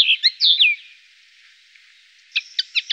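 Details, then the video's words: Goldfinch on the La Mancha plain near Tablas de Daimiel and Villarrubia: a few liquid slurred notes, a fading pause over soft background hiss, then a quick series of crisp chirps. "jilguero (entorno Tablas de Daimiel y Villarrubia-Llanura Manchega)"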